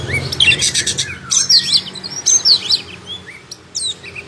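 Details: Oriental magpie-robin in full song, tail spread open: bursts of harsh, buzzy, scratchy notes mixed with clear sliding whistles, irregular and energetic, with quieter gaps toward the end.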